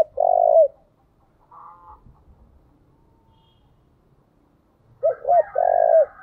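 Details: Decoy spotted dove repeating its call: a long throbbing coo at the start, a faint buzzy tone in the quiet middle, then another phrase of two short coos and a long falling coo.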